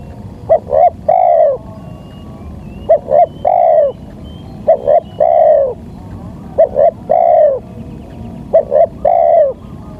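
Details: Repeated spotted dove lure phrases for catching wild birds, each a quick double coo and then a sustained falling coo, four phrases at fairly steady intervals with low background hum.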